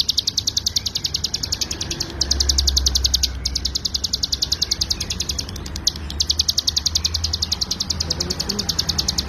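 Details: Hill prinia (ciblek gunung) in a full rapid 'ngebren' song style, used as a master recording for tutoring other songbirds: a fast, even buzzy trill of very high sharp notes, about three to four per second, with brief pauses and a low rumble beneath.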